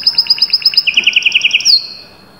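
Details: Canary song: a quick, evenly spaced series of high repeated notes, then a faster, lower buzzy trill, ending on a drawn-out high slurred whistle.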